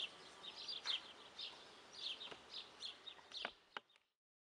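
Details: Guineafowl producing a quick string of rasping calls that fade into a few clicks before silence.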